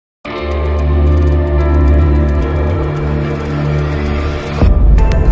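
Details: Loud, bass-heavy instrumental music with plucked string tones, cut off near the end by a sudden crackling noise.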